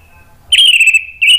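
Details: Anis merah, the orange-headed thrush, sings a lure phrase meant to make silent birds reply: one long level high whistle, then a brief break and a second short note.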